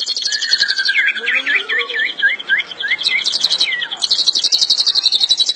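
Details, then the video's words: White-rumped shama singing: a fast, high buzzy trill runs throughout beneath a string of lower whistled, slurred notes, with brief rattling bursts near the end. "Murai batu SUPER berkicau"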